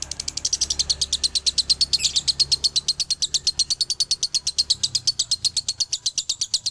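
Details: Male lovebird of the Galendo line from Ciamis singing its dobelan song: a long, unbroken run of sharp, high chirps repeated at a fast, even pace, with one brief harsher burst partway through.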